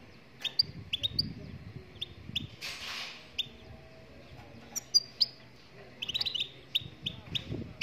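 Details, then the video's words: Singing Moroccan goldfinch giving scattered high, clipped tweets, a brief rushing noise midway, then a denser run of rapid twittering notes toward the end. "Chardonneret marocaine chante"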